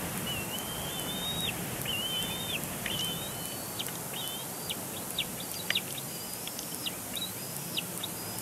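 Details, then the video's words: Bald eagle nestling at Big Bear Lake on April 27, 2022, continuing its tantrum of calls; rapid thin whistled squeals, some rising, mixed with faint clicks and a background hiss. "Big Bear Lake Bald eagles; Spirit chomps Dad's foot during tantrum."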